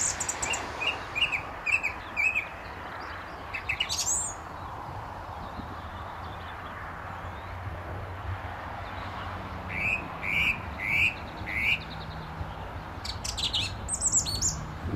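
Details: A male song thrush near a gravel pit in St Albans in May 2012, singing very close by from a telephone wire and then a tree, gives short, clear phrases with each note repeated three or four times, pausing between bursts, over a low rumble of distant traffic.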